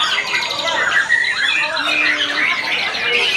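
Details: Murai, the white-rumped shama, delivering loud whistled and slurred notes with a long steady low whistle midway, amid dense overlapping bird chatter and squawks.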